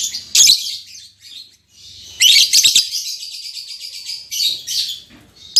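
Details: Newly paired lovebirds, an albino MM male and a lutino MM female, give harsh, shrill chattering chirps in short bursts, with a long buzzy run in the middle and brief pauses between outbursts.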